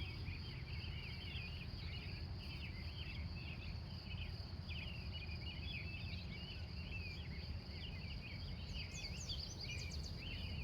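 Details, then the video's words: Wild morning birds in Glendive, Montana, USA, recorded from 3:45 a.m., chirp and warble in bursts with brief gaps, high sharp ticks joining late, over a continuous shrill hum and low rumble. "The Wild Morning Birds Of Montana"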